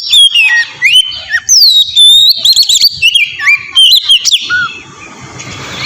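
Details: Oriental magpie-robin lure song to make another bird answer: strong, fluid whistled phrases with upslurs and downslurs, quick harsh notes, fading into soft background hiss at the end.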